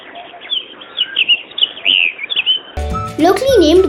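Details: Pied bushchat in the Sri Lankan highlands, open scrub or grassland, giving quick, chirpy high notes, several each second, for under three seconds before music with sweeping tones takes over.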